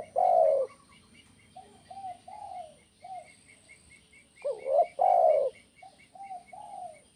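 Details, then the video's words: Spotted dove in 'kuk 1' style, played to get doves calling actively: loud mellow coos open and return near the fifth second, with short softer coos between them and faint rapid ticking higher up. "SUARA BURUNG TEKUKUR KUK 1"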